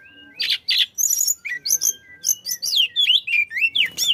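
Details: Flycatcher in energetic song, used to get other birds singing: buzzy opening bursts, then a steady series of rising and falling whistled notes and fast chirps, evenly spaced, over a faint hum.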